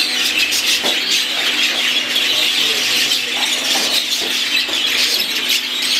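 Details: Exhibition budgerigars at a champion breeder's aviary in the UK, many birds together producing a dense, unbroken wall of high chirping and warbling chatter, with steady squeaky notes layered throughout and faint low background tones.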